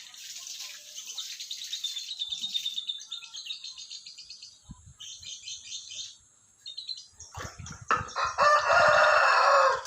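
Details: Lovebird chatter in the morning: quick, evenly repeated high chirps running for several seconds, later giving way to a loud broad rushing noise.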